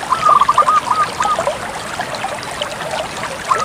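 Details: Zebra dove of the Bangkok type singing actively, a short fast trilled cooing phrase at the start with another brief coo at the end, over constant trickling, water-like background noise.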